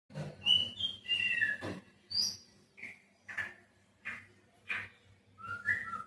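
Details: White-rumped shama, kept at home, singing: an opening flourish of varied whistled notes at shifting pitches, then separate short slurred notes spaced under a second apart, ending in a rising whistle. A low hum sits beneath.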